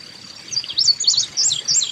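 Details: Carolina Chickadee field-recorded at a backyard bird feeding station, giving quick bursts of high, thin chirping notes in several short clusters over about a second and a half, with a faint steady high hum behind.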